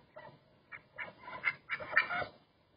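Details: Duck giving a short series of nasal, harsh quacks, about six calls in under three seconds, spaced irregularly and growing louder toward the end, with a quiet background.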